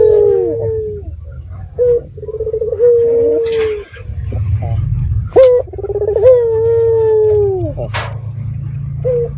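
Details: Local red-eyed dove used as a lure call to get other doves to answer, at night: long, steady, mid-pitched coos that slide down at the ends, with a bubbly rolling lead-in, under a faint low hum and high regular ticking.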